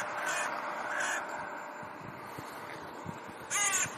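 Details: Common raven, one of a resident pair back alone in their territory and squabbling with neighbours: a few short hoarse croaks, two early and a louder burst near the end, over a steady background hiss.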